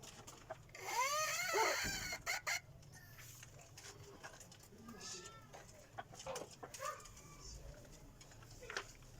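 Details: Decoy rooster giving a single crow of just over a second, rising then falling, with a short follow-on note. Afterward come faint scattered calls and background rustling.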